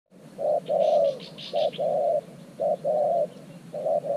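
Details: Spotted dove, a new decoy bird kept in an earthen trap enclosure to lure wild doves, giving low mellow coos: a short note, then a longer rolling coo, repeated in pairs about once a second.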